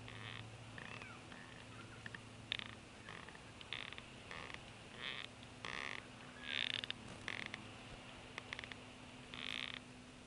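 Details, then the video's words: Adult bald eagle fussing at its nest in Florida beside a sleeping, well-fed eaglet: short, harsh, chattering bursts repeated irregularly over ten seconds, some clustered in quick runs, above a steady low hum. "Harriet Fusses"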